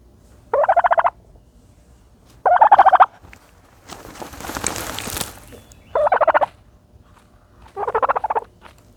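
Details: Dust-bathing turkey repeats short rattling gobbles, four bursts of rapid pulses spaced a couple of seconds apart, with a loud rushing scrape of dirt in the middle.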